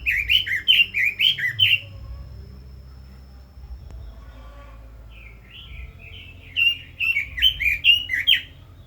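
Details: Loud burst of six or seven slurred, bouncing whistles from a Red-billed leiothrix, a quiet gap of several seconds, then another lively warbling phrase building in volume.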